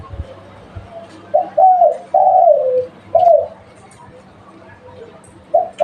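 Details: Local spotted dove used as a lure bird, giving a clear cooing phrase: a short note, a longer downward-sliding coo, a pause, then a final coo. It starts again near the end against quiet background hum.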